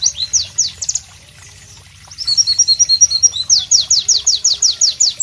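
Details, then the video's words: White-eye (Pleci) singing loud, sharp, melodious song in tropical ambience; high rapid series of descending whistled notes, a brief pause near two seconds, then fast repeated sweeping notes. "Masteran Pleci Bird Sounds Loud, Sharp and Melodious"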